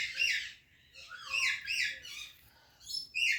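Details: Rose-ringed parakeet, a ringneck talking parrot, uttering raspy, descending chirps that run together in a chattering string, ending with a sudden loud squawk.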